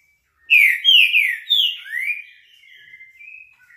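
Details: A green-winged saltator delivers its classic song, a bold run of four falling whistled slurs and a rising final note, followed by soft, thin, wavering whistles.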